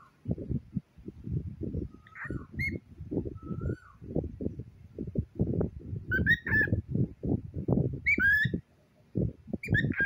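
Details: Pet cockatiel chattering beside a cute toy pig: short whistled chirps and rising squeaky notes break out repeatedly over a steady background of low murmuring voice sounds.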